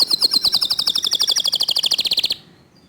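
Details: Local canary singing in the fast, tight 'tembakan' style with a clear voice: a rapid run of about thirty sharp, evenly spaced high notes over two seconds, then abrupt silence.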